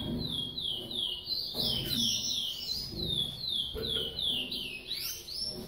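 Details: Captive-bred Yellow-bellied Seedeater nestling being fed by a female, giving a continuous run of thin, high, rising squeaks, about three per second, with soft bumping noises underneath.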